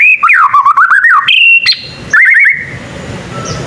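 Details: Juvenile white-rumped shama learning to sing, prompting replies from other shamas; a wavering whistled run, a steady held note, a brief rapid series, then the song stops and only background hiss remains.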